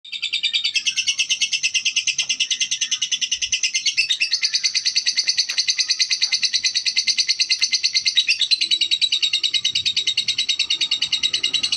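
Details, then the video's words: Female lovebird described as calm, giving a long unbroken run of rapid, harsh chattering pulses, about three per second, high-pitched and evenly rhythmic throughout, with no other clear sounds. "Lovebird betina"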